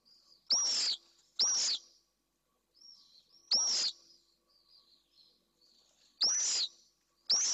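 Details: Pallid swift in a nest box in Jerez de la Frontera, Spain, a male confronting an intruding single bird at a nest holding its first egg: harsh, buzzy screams, each opening on a sharp high whistle, spaced irregularly, with softer chattering notes between.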